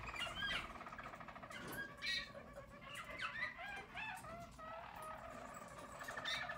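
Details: Yellow Harz German Roller canaries, a 2022 team, sing rolling trills mixed with quick upslurred and looping whistled notes, louder bursts near the start and the second second.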